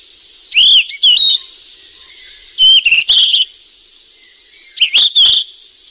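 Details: Wild golden flycatcher feeding its chicks: three bursts of high whistled notes, each starting with an upslurred whistle followed by quick chirps, about two seconds apart, over a steady high hiss.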